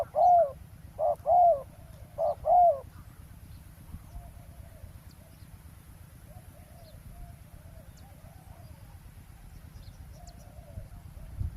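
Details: Roadside ground decoy trapping of spotted doves: three loud, hollow coo phrases open the recording, then softer, distant cooing continues faintly over a low steady background rumble.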